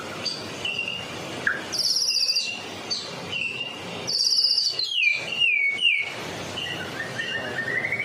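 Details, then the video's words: Medan white-rumped shama in full song, used as a lure for other shamas: scattered high buzzy bursts, short whistles and a rapid run of slurred notes, then a soft rising trill, over a steady hiss. "murai batu Medan. gacor door . cocok buat pancingan burung murai batu lain nya."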